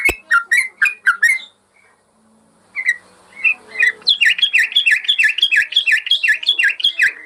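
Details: Yellow-vented bulbul song made as a master recording for training caged birds: bubbly slurred whistles, a short silence, scattered notes, then a fast, higher-pitched chattering run of similar repeated phrases.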